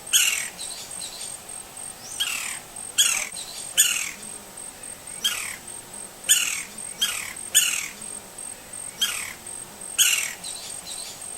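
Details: Green-barred woodpecker, a wild Brazilian bird in natural habitat, giving a long series of rasping downslurred notes, some in quick pairs, roughly every second. A constant thin high-pitched drone persists in the background.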